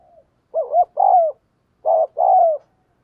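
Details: Two energetic two-note coos from a decoy spotted dove, a hoarse short syllable then a drawn-out descending one, given in the 'gù thúc bổi' style to excite wild birds.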